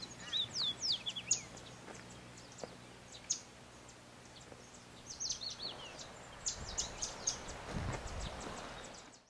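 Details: Yellow Warbler (Setophaga petechia aureola), recorded on Floreana, Galápagos, Ecuador, in May 2012, sings two bursts of quick, high, sweet notes, a short run then a longer phrase, over steady rushing hiss.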